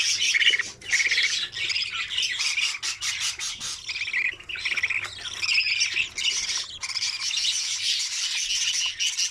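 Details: Budgerigar chicks inside the nest during feeding, making harsh, scratchy squawks in uneven surges, with louder rasping bursts separated by short softer gaps.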